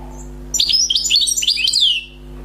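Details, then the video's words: European goldfinch, a freshly trapped wild bird, pours out a lively jumble of high twittering notes for about a second and a half, closing with a downward-sliding whistle; low mains hum in the background. "غناء حسون بري صيد جديد #chant chardonneret"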